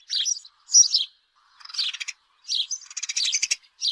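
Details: Chirping house sparrow giving short bursts of harsh, sharp notes separated by brief silences, some bursts dense and buzzy, others single clear chips.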